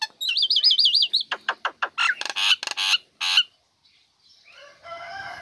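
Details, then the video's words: Female Nias hill myna in a cage, singing right after the cover comes off, used to draw lazy birds into song: a wavering whistled trill, a run of harsh clicking bursts, then near silence with a soft buzzy tail. "Jalak Nias Betina Buka Krodong Langsung Gacor Cocok Untuk Pancingan Burung Malas"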